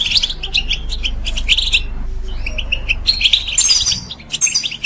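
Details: European goldfinch song meant to stimulate other birds to sing: bursts of quick high twittering and liquid trills, a brief pause near the middle, then a brighter, fuller tinkling phrase, over a steady low rumble.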